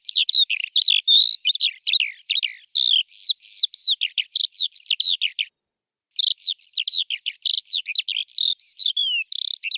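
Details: Continuous, dense lark song of rapid buzzy warbled notes, broken by a single pause of about half a second before resuming just as fast.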